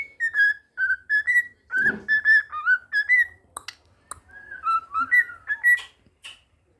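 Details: A pet cockatiel visiting with friends whistles "If You're Happy and You Know It" in clear, fluty phrases, with brief human voices nearby; a neighbour sometimes whistles to it and it whistles back.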